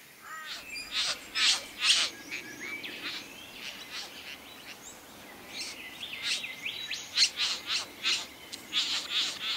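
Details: Satin bowerbird during courtship: a series of harsh, buzzy, broadband bursts and crackling notes, some in rapid clusters, with brief tonal squeaks between them, in quiet natural surroundings.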